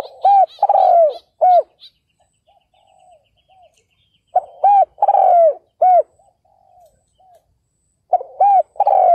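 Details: Spotted dove kept as a ground decoy to lure wild males, cooing three times in about nine seconds; each phrase has clipped hoots, a longer falling coo and faint trailing notes, with sharp higher clicks at the start of some phrases.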